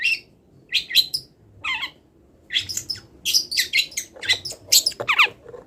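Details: Long-tailed shrike, a bird still moulting and eager to sing, delivering a song packed with imitations of wild birds: bursts of harsh chattering and sharp rising whistled notes in quick irregular phrases, with pauses between. A faint low hum sits beneath.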